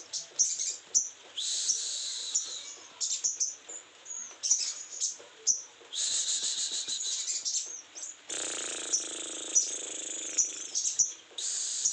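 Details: Sogon in strong breeding condition singing a dense, high-pitched song of rapid chattering and buzzy trills, delivered in long continuous bursts with brief pauses.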